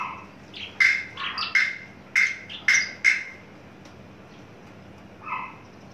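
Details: Adult male Horsfield's bush lark, caged and tame, mature and very loud, coming into breeding condition: a run of sharp, bright notes repeated roughly every half second, then a pause and one softer closing note in a quiet room.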